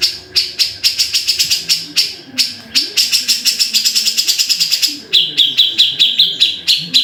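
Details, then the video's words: A Grey-cheeked Bulbul gives a fast, harsh chatter of high, scratchy notes, roughly four or five a second, with a brief pause before the series resumes. "BURUNG CUCAK JENGGOT"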